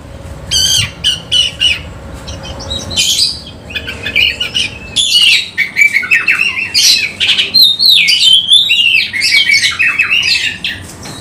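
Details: Oriental magpie-robin, used as a lure, opens its tail and sings: first spaced short chirps, then from about five seconds a continuous stream of loud whistles, trills and harsh notes.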